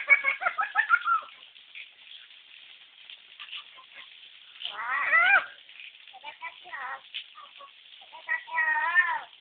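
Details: Lory mimicking a baby's cry: a rapid burst of short stuttering wails, then scattered soft cries, a loud wavering wail midway, and a final warbling cry, all meow-like and harmonic.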